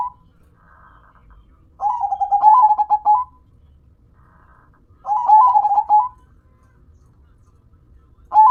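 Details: Local zebra dove, a kept hobby bird, singing: stuttering, mid-pitched rolling coo phrases of about a second, repeated roughly every three seconds in a quiet setting.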